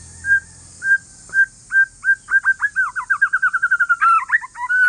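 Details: Calm song of an Aceh forest-lineage white-rumped shama, sung to get other shamas to answer: spaced single whistles that quicken into a long rapid rolling trill, ending in a jumble of tangled notes.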